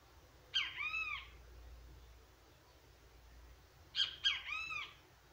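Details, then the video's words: Great kiskadee calls twice, each phrase a short sharp note run into longer arching, buzzy notes, about three and a half seconds apart, with a faint low hum beneath. "O CANTO DO PÁSSARO BEN TE VI"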